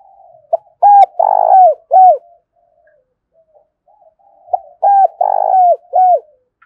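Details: Spotted dove cooing in the 'thúc' style, known locally as 'giọng hạp bổi', used to lure wild doves in. Two phrases, each a short note, a long throaty coo and a final clipped coo, a few seconds apart.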